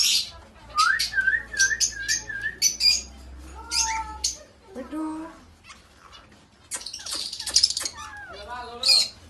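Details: Indian ringneck parakeet vocalising at home: a wavy whistled trill, then speech-like harmonic phrases and harsh squawks, hissy noise bursts in between.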